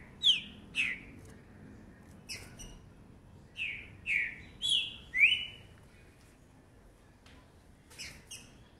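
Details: A young 2019 green-winged saltator sings a fast song of clear, downslurred whistles, single notes and close pairs spread irregularly, with a faint quieter phrase at the end.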